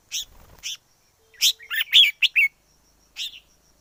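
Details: Red-whiskered bulbul from the wild in song, giving a lively run of quick, clear chirped and warbled notes in clusters, then a pause and one more phrase; a faint steady high tone runs behind.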